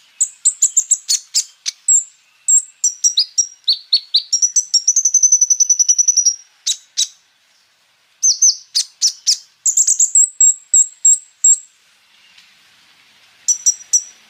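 A sunbird's high, thin song of rapid chips, sharp tweets and buzzy rolling trills, delivered in quick bursts with brief pauses.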